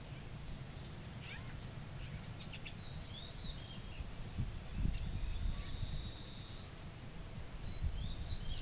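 Lesser whistling ducks give thin, high whistles, a few short notes and one long flat one, over a steady low rumble of wind.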